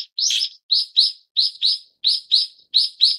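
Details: Series of shrill, harsh notes from a Brown-eared bulbul (Ixos amaurotis harterti), mostly paired and repeated at an uneven pace of roughly ninety per minute, with nothing else audible.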